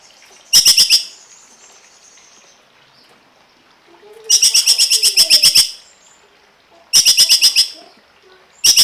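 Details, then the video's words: Cungkok singing in three or four separate bursts of fast, high-pitched stuttering notes, each burst lasting about a second, with quiet gaps between. "masteran burung cungkok"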